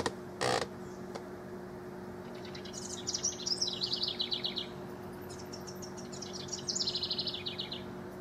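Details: Rival house wrens, recorded in June 2015 (6/12 to 6/24): a sharp knock near the start, then two bubbly, chattering descending song phrases over a steady low hum.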